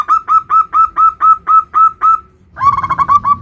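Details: Nutut variation of a local zebra dove's song, played to prompt other zebra doves to sing: about ten evenly spaced cooing notes, a half-second pause, then a faster stuttering burst with some low background noise.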